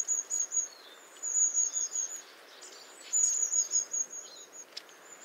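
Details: Two quick bursts of the Long-tailed tit's shrill, thin calls, very high and level, each a rapid string of tiny notes, with constant outdoor hiss underneath.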